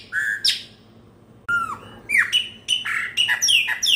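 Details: Pena branca, a Chopi blackbird, singing around New Year: a rich whistled phrase, a pause of about a second, then rapid bright notes and squawky slurs that quicken toward the end.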